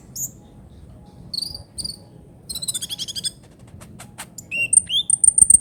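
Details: Trotol song of a ninja sunbird for tutoring songbirds: scattered high chirps, a quick rattling series, then rapid repeated piercing whistled notes rising in intensity.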